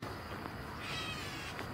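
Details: Gray catbird vocalizing late in the day as light fades on a walk after storms gives a brief, nasal, cat-like mew, soft and slightly slurred, over a steady hiss of wind or distant traffic; Gray Catbird.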